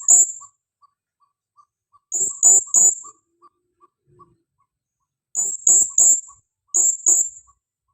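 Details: Female blue-crowned hanging parrot, a caller used for luring birds, giving quick bursts of two or three shrill high notes in rapid succession, separated by short pauses and faint ticking.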